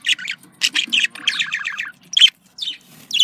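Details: Budgerigar warbling, with sounds meant to stimulate pet budgies to breed: fast runs of rasping, stuttering chirps, then sharp squeaky notes after brief gaps.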